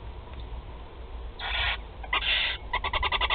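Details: Four barn owl chicks fed at their Théding nest box, 16 July 2020, produce a broad rasping hiss, then a second hiss breaking into a rapid string of clipped ticking notes.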